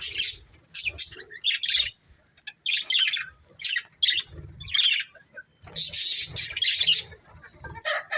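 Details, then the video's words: Chirping budgerigars, a breeding pair, give short bursts of buzzy chatter and sharp squawky notes spaced by short silences, with faint low thumps underneath. "Beautiful Budgies Chirping Sounds"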